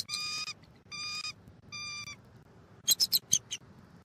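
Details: Bald eagles at a nest in Southwest Florida, early morning, 1 December 2023, female incubating after an owl struck the male: three even, harmonic piping notes about half a second each, then a quick burst of sharper high chitters.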